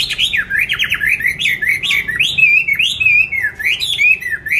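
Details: Caged pet songbird, bought on 19 May 2020, described as singing anywhere and anytime: loud continuous song of swooping, zigzag whistled notes in close succession without a break.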